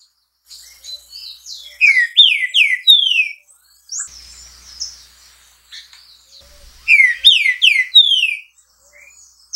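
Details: Green-winged saltator, known locally as trinca-ferro, pixarro or bico-de-ferro, singing two loud phrases of rich, slurred whistled notes. Each note sweeps downward, in quick series of three to four. Higher thin chirps from other birds are heard between phrases.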